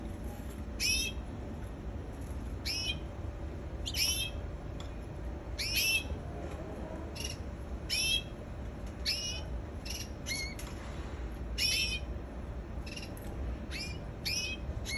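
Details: Canary calling repeatedly over fifteen seconds, giving brief high chirps with rising, bending tones, one or two every second or so, above a steady low mechanical hum.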